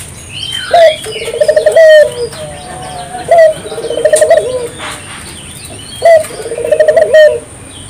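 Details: Barbary dove calling steadily to spur local doves into song: low rolling coos, a brief opening note then a trilled, purring phrase, about every two and a half seconds, over soft chirping from other birds and a constant high tone.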